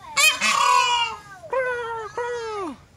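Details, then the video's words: Peafowl calling with loud, honking, strongly harmonic cries: one long blaring note, then two shorter falling calls close together, each sliding downward at the end. "công kêu ụt ịt ụt ịt"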